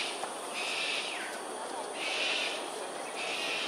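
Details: Harsh raspy shrieks from cockatoos performing an aerial display at Sungei Ulu Pandan, Singapore, early morning, 7.43 am, 13 January 2022. There are three drawn-out grating calls, one with a brief downward slur, against constant background hiss.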